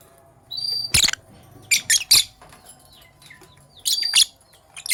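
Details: Pet lovebirds, Sky Blue Opaline and Cobalt, calling in the morning: loud piercing shrieks in bursts of two or three, separated by quieter gaps with faint whistles.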